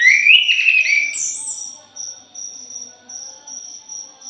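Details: Punglor jali thrush used as a lure: the song opens loud with rising whistled and buzzy notes, then a very high squeal. It fades into a rhythmic high insect pulsing.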